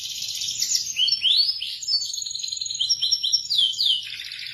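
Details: Indonesian local canary singing a varied, continuous song of rolling trills, quick upward whistles and rapid high twitters, closing with a lower buzz.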